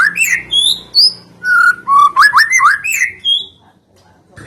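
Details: White-rumped shama singing, used as a lure to prompt other shamas, trotol and pastol to join in: loud varied whistles, then a run of rapid rising notes, ending in near silence.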